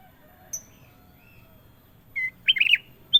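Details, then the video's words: Golden kutilang (sooty-headed bulbul) singing long, clear phrases, the kind of song kept by bird hobbyists to lure wild birds and to train other birds: a quiet lone note, then a brief warbled run of quick rising and falling notes, ending with one sharp note. "KUTILANG EMAS PALING MERDU! Suara Gacor Panjang"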